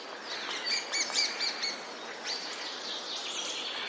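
Eurasian treecreeper giving thin, very high-pitched notes in a quick run of five or six, then a softer few, over faint background hiss.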